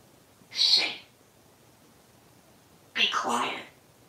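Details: Talking pet parrot indoors with its plush parrot toy, which it kisses and tells to be quiet: two short hoarse speech-like phrases about two seconds apart, over faint room noise.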